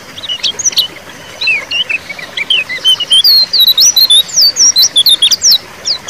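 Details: White-eye in ngeriwik style, used to prompt a silent bird to sing: high, rapid twittering of short rising and falling chirps that grows denser and louder toward the end.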